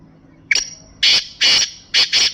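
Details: Sindhi-breed black francolin giving a grating call: a faint catchy opening note, then four loud buzzy rasps, the last two run close together, against light background hum.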